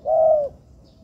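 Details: Spotted dove, a bird being trained in an artificial yard, giving a single smooth, level coo lasting under half a second, then quiet.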